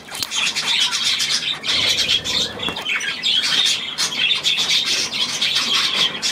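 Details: Budgerigars on 9 February 2024 keep up an unbroken high twittering and squawking chorus, many voices layered together, briefly dipping in loudness near the middle before swelling again.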